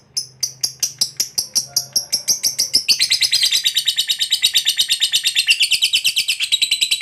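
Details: Fighter lovebird ngekek panjang, a long trill used to stimulate other lovebirds to sing: separate chirps speeding up, then merging after three seconds into a dense, rapid, buzzy chatter that carries on steadily.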